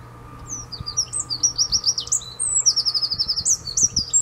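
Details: Eurasian wren singing at De Kleuter in Uden on 5 March 2015: a loud, fast, high-pitched run of trills and rapid chipping notes that pours out almost without pause, over a faint steady low hum.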